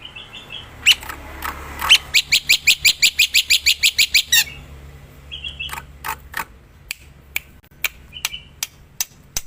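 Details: Black-winged myna song from the wild: a brief nasal note, then a steady train of crisp repeated chips, further short buzzy notes and scattered sharp clicks.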